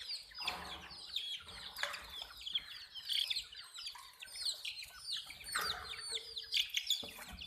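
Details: Colored domestic chicks, baby hens, chirping as a group: many high, shrill downward-slurred peeps overlap continuously, with soft rustling and occasional broadband thumps between bursts.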